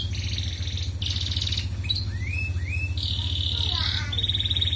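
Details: Canary in gacor ngerek style, used as a lure to stimulate breeding in red canary hens: bursts of high buzzy trills and two rising whistled slurs over a steady loud low hum.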